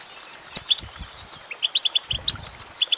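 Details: Female goldfinch singing: bright, clipped chirps at high pitch, some short notes repeated in quick runs of three to five, with brief gaps between bursts and a quiet background.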